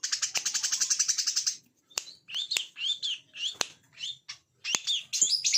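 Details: Plain-throated sunbird, kept as a master recording for training other songbirds, singing in the rapid drilling "ngebren" style. A fast, high buzzy trill runs for about a second and a half, then comes a string of sharp, high, twisting whistled notes.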